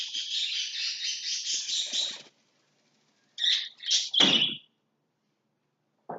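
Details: Lovebirds working in their house to throw out everything inside; two seconds of dense shrill chattering fade to silence, then three separate sharp squawky calls follow, the last sweeping down into a rasp, and a brief click closes.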